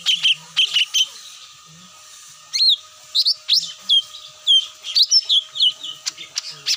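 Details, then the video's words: Lure call of the cucak mini, meant to bring the birds down: clusters of sharp high chirps, a short pause, then a lively run of clear whistled upslurs and downslurs over a steady faint background tone. "SUARA ASLI PIKAT CUCAK MINI"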